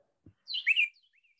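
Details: A Carolina Wren gives a single loud, rich phrase of two or three slurred, rolling whistled notes, bright and mid-high, with a soft thump just before; its song can be confused with a Kentucky Warbler's.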